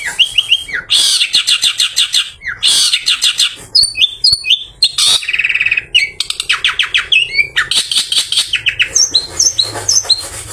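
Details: Freshly bathed long-tailed shrike singing as an afternoon lure for other shrikes: a loud, continuous medley of rapid chattering bursts, buzzy trills and clear whistled slurs, changing phrase every second or so.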